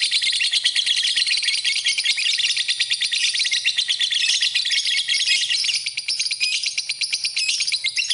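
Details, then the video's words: A lovebird pours out a long, shrill twittering song meant as tutoring material, fast metallic pulses running without pause, slightly softer and more choppy toward the end. "Kicauan Burung, Love Bird, Masteran Love Bird"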